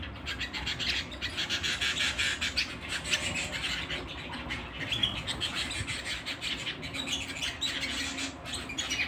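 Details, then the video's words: At home, a canary pours out a long, fast song of high ringing trills and clipped chirps, steady and unbroken. "canary singing at home"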